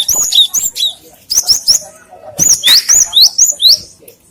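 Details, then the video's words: Great tit, recorded for use as a lure and for training other songbirds: clear, loud whistled notes, each a sharp upward slur, given in short runs of two to four with brief pauses between, over a quiet background. "The sound of a rock sparrow for fishing and mastering/Suara gelatik batu untuk pancingan & masteran"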